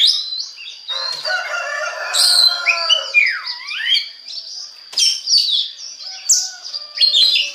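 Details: Kacer, the Oriental magpie-robin, singing to provoke other birds into song: rich mixed whistles, a sweeping dip-and-rise note, harsh buzzy bursts and short chirps in quick succession.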